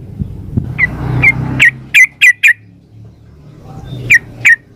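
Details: Female yellow-vented bulbul calling the male: scattered sharp, bright single notes, some in quick triplets, separated by pauses, with a low rumble of traffic early on.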